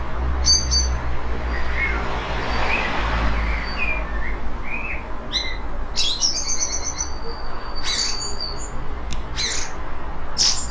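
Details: Rare soft song of a Eurasian blackbird singing in a Portuguese yard at the end of the day while watching the recordist about 5 meters off; scattered high squeaky notes, brief rattling trills and thin sustained whistles over a low hum.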